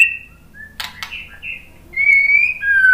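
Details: White-rumped shama singing to provoke other birds into song: soft whistles and a brief burst of clicks, then a loud, clear, slightly rising whistle and a lower sustained note.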